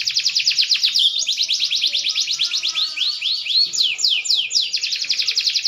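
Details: Maturing green canary delivering a continuous high rolling trill, shifting into slower arched sweeps and back into rapid pulsed notes.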